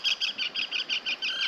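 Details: Terns at Lake Muuratjärvi, Finland, in early summer give a quick series of harsh, high kik notes, about six per second, with no other clear sounds.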